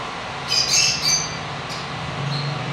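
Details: Blue lovebird gives a quick burst of harsh, high squawking chirps lasting about a second, then a thin faint note, over a low hum.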